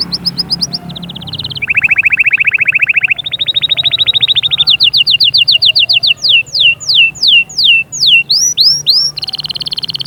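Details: Canary song played to stimulate chicks to sing and prepare females: rapid high trills, a loud buzzy lower trill, then a string of slurred whistled notes that swoop downward and upward, ending in a fast chatter, over a low hum.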